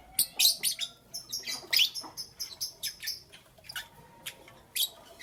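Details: Lovebirds in the morning giving a run of sharp, high chirps and squeaky notes in uneven bursts, some clustered and some spaced out, with quiet gaps between them.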